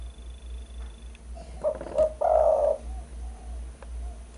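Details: Spotted dove calling in a recording used as a bird lure: a soft, low coo phrase of two short notes followed by a longer, rolling drawn-out note, over a steady low hum.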